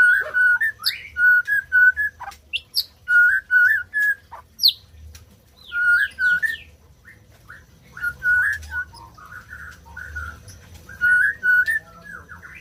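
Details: White-rumped shama, sung to encourage silent birds to start singing. Clear whistled notes repeated in short groups of three or four, separated by pauses and mixed with sharp high clicks and brief chatters.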